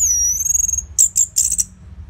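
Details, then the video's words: Orange-headed thrush in loud, prolific song: a long, thin, very high whistle held steady, then three short, harsh, shrill bursts. "Pancingan & Masteran ANIS MERAH Gacor Jeda Rapet Suara Keras"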